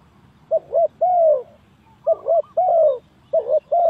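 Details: Spotted dove calling to lure doves into a trap, three phrases where a quick double coo leads into a long, gently falling coo.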